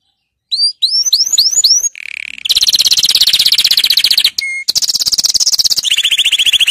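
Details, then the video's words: Canary singing, a recording meant for tutoring young birds: rising whistled notes in quick succession, a buzzy low phrase, then long rapid rattling trills broken by one clear short tone. "Chant Canari Super Pour l'écolage des jeunes من أجمل تغاريد طائر الكناري لتسميع الفراخ"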